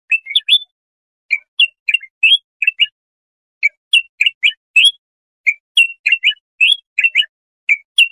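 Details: Bulbul singing for goldfinch or hybrid chicks to learn from: brisk groups of two or three liquid whistled notes, repeated steadily with short gaps.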